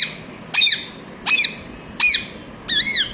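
Rose-ringed parakeet giving four harsh, squawky chirps about one every 0.7 seconds, the last longer and wavering; indoors, otherwise quiet.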